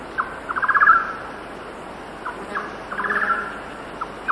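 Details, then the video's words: Golden-naped barbet song at about 6,000 ft on a windy day, with cicadas and distant birds: quick bursts of low, hollow notes speeding into a rattling trill, then single notes and another burst; faint hiss. "Golden Naped Barbe / Golden-Naped Barbet. Song"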